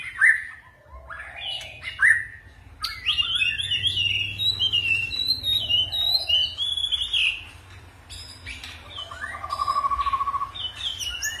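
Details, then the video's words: White-rumped shama performing varied forest-style song: two short rising whistles, then a long run of fast, high warbling phrases, later a rapid trill and scattered sliding whistles; background hum. "chòe lửa hót giọng rừng ,đảo giọng cực phê"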